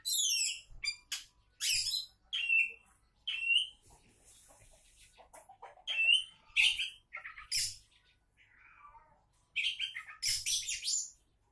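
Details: Song of an Oriental magpie-robin billed as a future champion: rapid bursts of sweeping, descending whistled notes and scratchy chatters, repeated in quick clusters, with one lower warbled phrase near the end.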